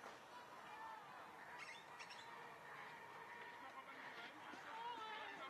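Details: Hawaiian goose (Branta sandvicensis), call.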